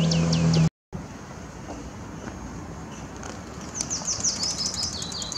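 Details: Singing Willow warbler beside the Zeeburgerpad, 2 May 2016: after a brief cut and low hum, a fresh phrase of bright, clear notes begins and slides gently downward in pitch, ending abruptly as the recording stops.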